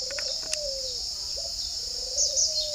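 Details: Caged male spotted dove of a pink colour form, hand-raised from a chick at a bird farm in Ba Vì, Hanoi, Vietnam; soft low cooing, one drawn-out note then a longer second note, over steady high insect buzzing.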